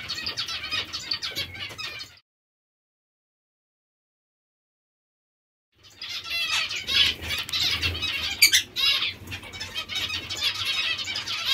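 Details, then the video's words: Hungry zebra finches keep up fast, chattering nasal begging calls, about two or three a second, broken by a gap of silence of several seconds. "Zebra finches hungry"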